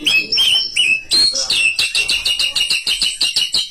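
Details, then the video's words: White-rumped shama lure song meant to stir up rival birds. A few separate bright whistles, then a rapid run of sharp, high, repeated notes about three per second, evenly spaced and ringing, on a quiet background. "LANGSUNG NYAUT MURAI BATU GACOR || PANCINGAN SUARA MURAI BATU YANG BIKIN LAWAN EMOSI"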